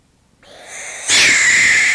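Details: A Barn Owl gives a sustained defensive hiss: harsh and breathy, it swells suddenly and then holds loud and steady, rich in high hissing tones with a faint whistled edge.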